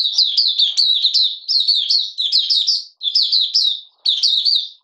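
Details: Oriental white-eye (Malaysian mata puteh), a hobby bird in minor moult, in full song on 31 July 2023. Continuous high, lively warbling made of fast slurred chirps, in four long phrases with only brief breaks.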